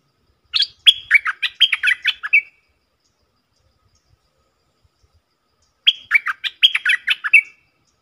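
A stripe-throated bulbul gives two bubbly, chattering phrases of quick mid-pitched notes, each about two seconds long, separated by a pause of several seconds.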